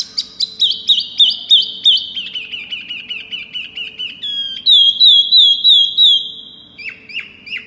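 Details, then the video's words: A Javan tesia, recorded as a lure call, gives a high, bright call of quick slurred whistles, about three a second, in two bursts with a short pause between them. "Suara Pancingan Wambi Mini"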